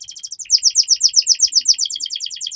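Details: Canary in continuous tutoring song for young birds: a fast series of bright, high, down-slurred notes, roughly seven per second, steady and even for the whole stretch.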